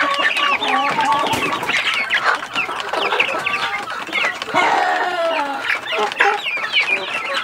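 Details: Young chickens feeding from a tray in a coop, a busy mix of shrill peeps, chirps and occasional clucks, with tapping and rustling of pecking at food.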